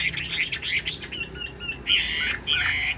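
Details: A tame, fan-tailed kept Chinese hwamei (Garrulax canorus) sings nonstop: a loud, rich, unbroken stream of varied whistles and trills, with louder ringing bursts toward the end.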